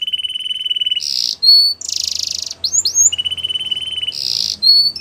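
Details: Canary training song alternating a steady fast trill on one pitch with harsh buzzy bursts and a clear high whistle, the sequence repeating.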